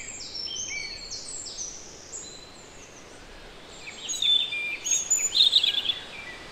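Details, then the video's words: In the Netherlands, a European robin delivers a bright, high, jangling run of notes in the later seconds, rising out of a quiet chorus of distant birds heard in the first half. "One Hour Relaxing Birdsong: European Robin"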